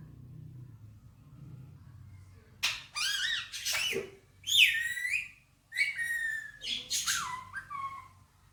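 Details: Rose-ringed parakeet, a male pet, saying "Mitthu bete"; after a quiet start come clear, whistled, speech-like phrases with falling inflections and buzzy edges, in four main bursts, indoors.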